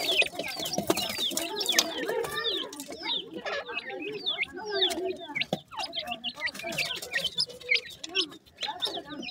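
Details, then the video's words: Feeding partridge chicks produce a dense jumble of short, high chirps and curved peeps, with lower warbling notes and scattered sharp clicking sounds throughout. "yellow partridge bird chicks,partridge baby feeding"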